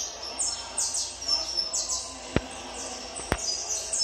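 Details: Peruvian saffron finch trained for tournaments, singing quick high descending notes, with two sharp knocking sounds in the middle of the clip.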